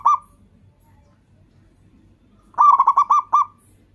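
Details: Local Indonesian zebra dove (perkutut lokal) calling, used as a lure to make other zebra doves answer: one short note, a pause, then a rapid staccato series of about seven clipped, mid-pitched cooing notes.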